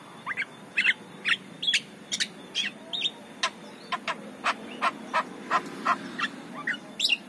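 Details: Javan myna singing in the morning, played as a lure to draw other mynas: a varied run of sharp clicks, squeaky whistles and harsh chattering notes, about two to three per second, slightly irregular.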